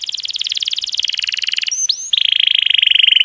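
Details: Canary song used to train songbirds, in the 'roll tembak' long-roll style with a water effect added: a steady fast trill, a brief whistled break, then another smooth, rapid roll.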